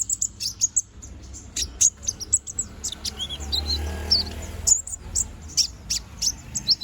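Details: Balding young konin bird growing new feathers, singing vigorously: thin, high chirps and short sharp twittering notes in quick irregular bursts, with faint low background hum.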